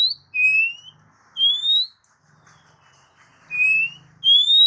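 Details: Oriental magpie-robin giving clear, drawn-out whistles, each rising slightly, some pitched lower and some higher, spaced roughly a second apart, with a soft low hum in the background.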